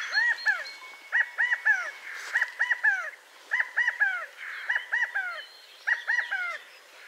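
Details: California quail (Callipepla californica) give loud three-note calls, each phrase arched with the middle note strongest, repeated about once a second, with faint higher chirps behind.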